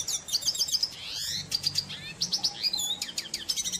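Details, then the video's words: Red siskin (Spinus cucullatus, "cardenalito") singing a fast, high twittering song of thin trills, buzzy rising notes and sharp chips, with a faint low background hum. "Pintassilgo da Venezuela Tarim Cantando Pássaro || cardenalito"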